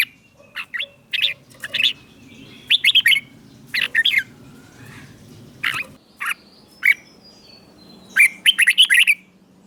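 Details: Caged red-whiskered bulbul in Thailand, southern master-style song played to stimulate other birds: scattered brief chirps and warbled bursts separated by pauses, a closing cluster of quick jumbled notes, low rumble behind.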